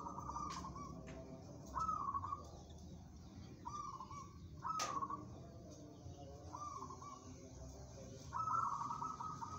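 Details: Local zebra dove described as mentally strong and good for song contests, producing repeated rippling coo phrases about every one and a half to two seconds. Several sharp clicks sound between phrases.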